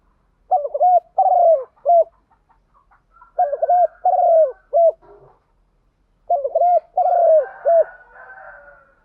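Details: Spotted dove cooing in the morning, a kept cage bird: three low, mellow phrases of soft coos, each phrase a quick stuttering lead-in followed by two drawn-out notes and a clipped final coo, separated by short pauses.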